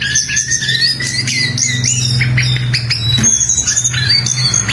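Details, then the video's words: Jongkangan bird singing actively with high, rising whistled notes and sharp chirps repeated in quick succession, some notes sliding upward, above a constant loud low hum throughout. "Burung Jongkangan Gacor"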